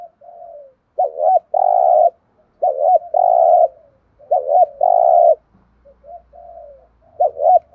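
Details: Spotted dove repeating thúc gù coo phrases, four in a row about 1.7 seconds apart, each a wavering double note then a sustained coo, with soft quieter notes between and a faint low rumble near the end.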